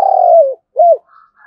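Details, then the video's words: Spotted dove 'thúc gù' coo in thổ đồng voice, lure for wild doves; one long mellow coo sliding down at its end, followed by a short arched hoot and a faint soft murmur. "cu gáy thúc gù/ Tiếng cu thúc gù hay bổi nghe ức chế gáy theo cả ngày"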